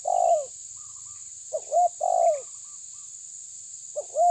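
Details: Tabir-type spotted dove pressing an opponent: short throaty coos in quick pairs, a rising note followed by a longer falling one, with a continuous high whine behind.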